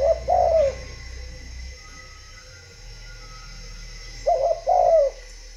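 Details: Spotted dove in Vietnam giving two separate phrases of low coos, each two or three notes ending in a falling slur, separated by a quiet pause over a low background rumble.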